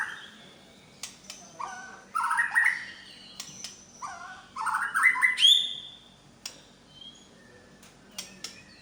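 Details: Medan-type white-rumped shama showing its imitated repertoire: bursts of rich warbled and whistled phrases between sharp clicks, one rising to a high pure note, over a faint hum.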